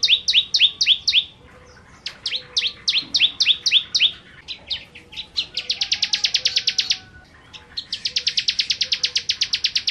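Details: Bar-winged prinia in 'gacor nembak nembak' song: opening runs of falling double chirps, then two long, very fast buzzy trills of rapidly repeated high notes.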